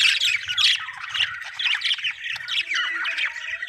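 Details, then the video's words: Budgies chirping with harsh squawky notes and bubbling warbles that run almost without pause, a few thin whistled tones among them, faint low rumble beneath. "happy budgie chirping sound"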